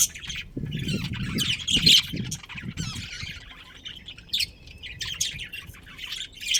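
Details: Budgerigars of a breeding pair in a colony chatter with continuous scratchy, warbling chirps, and low thumping noises sound in the first half.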